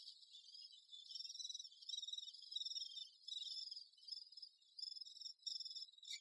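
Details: Great spotted woodpecker busy with its young: high, grating chatter pulsing in short bursts about every half second, steady across the whole stretch, ending with a faint click.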